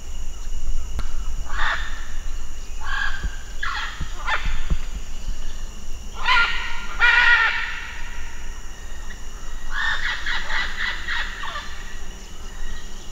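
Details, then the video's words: A macaw gives harsh, raspy squawks in short bursts, some single and some in quick runs of three or four, over a steady low rumble. "macaw sounds"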